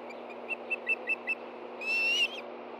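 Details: Hungry Ospreys at a Hellgate Canyon nest in Montana, late morning of 24 August 2013, excited as a fish arrives: a quick series of five short high chirps, then one longer, louder rising whistle, steady hiss behind.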